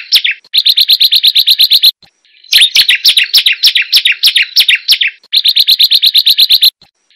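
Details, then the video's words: Hill prinia singing actively as a lure for reluctant birds: three bursts of rapid, sharp, high chipping notes, about ten a second, each bout lasting one to two seconds with short pauses between. "Burung Prenjak Gunung yang malaes bunyi"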